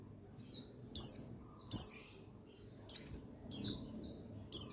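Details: Buxtoni white-eye male, played to rouse lazy birds into song: repeated high, sharp, falling chirps, some paired, about one every second with uneven spacing against a quiet background.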